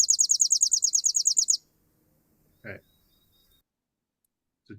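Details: Chipping sparrow song, a fast pulsing trill of one high note repeated many times, ending abruptly, followed by brief speech sounds.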